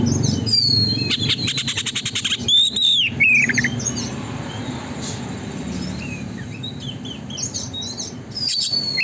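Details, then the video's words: Oriental magpie-robin singing continuously, played as a lure to get a magpie-robin to spread its tail: fast clicking rattle and a downslurred whistle early on, then sparse high chirps over a low rumbling background. "burung kacer gacor konslet,pancingan agar kacer buka ekor"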